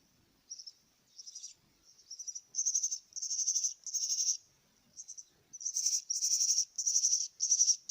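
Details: Myna chicks being fed: scratchy, high, hissing begging bursts start soft and sparse, then grow louder and more continuous toward the end, with occasional low rustles.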